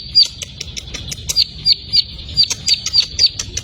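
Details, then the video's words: Plain prinia, ciblek sawah, singing: sharp high thin chips and ticks repeated several times a second in an uneven series, over a low rumbling background noise. "CIBLEK SAWAH BAHAN PASTI BUNYI"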